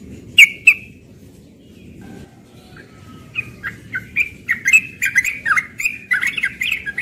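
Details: Young yellow-vented bulbul singing in the morning in the rapid ropel style: two loud chirps, a quiet pause, then a fast run of bubbly, warbled notes gathering pace toward the end.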